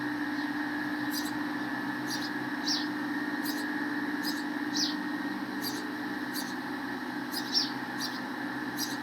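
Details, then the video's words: Sparrows at their nest while feeding their chicks give short, high chirps, single or in quick pairs, about every second or two, over a steady mechanical hum. "Sparrow chirping"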